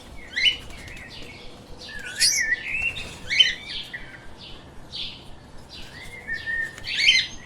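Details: Pet lovebirds chirping: shrill, high chirps and short sliding squeaks come in quick bursts about every second, with some overlapping. Faint low background hiss.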